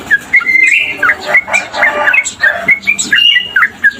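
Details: Tame male sooty-headed bulbul singing vigorously, a loud, busy run of bubbly chirps and short whistled slurs, tightly packed with barely any pause.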